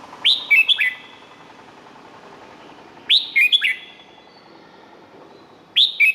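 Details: Red-whiskered bulbul, Thailand, song used for training birds or making them lively: bouncy phrases of three or four bright rising whistles, repeated about every three seconds, each with a lingering echo.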